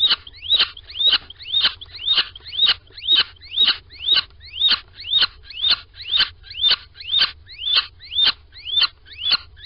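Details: Nest-box little owl in Sprundel on a February 2020 morning, one bird entering while piping and calling: evenly spaced upward-sliding squeaks, close to two each second, bright and sharp, with no other sounds.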